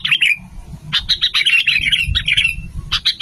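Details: Sooty-headed bulbul song for luring birds: a lively stream of loud, chattering, bubbly notes with short gaps, continuing through the whole clip.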